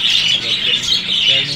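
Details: Budgerigars in breeding season: continuous, dense, scratchy chattering warble with squawky notes, loud and close, without pauses.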